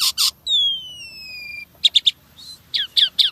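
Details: Asian pied starling in lively filler song: two harsh bursts, a long slowly falling whistle, three quick sharp chips, then a few downslurred squawky notes.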